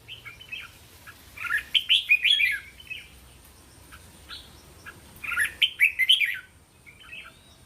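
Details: Red-whiskered bulbul song used to coach young caged birds, with 3-5 syllable phrases: two bursts of rapid warbled, chattering whistles about four seconds apart, separated by a few soft single notes.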